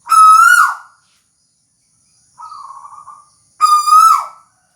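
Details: A tuwu bird gives two powerful whistled notes that end with a downward slide. Between them comes a softer, flatter, slightly burry note. The background is still.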